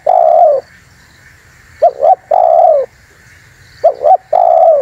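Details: Spotted dove call used to lure wild doves and provoke rivals: a long low falling coo, then two full phrases of two brief clipped notes and a drawn-out coo, spaced about two seconds apart.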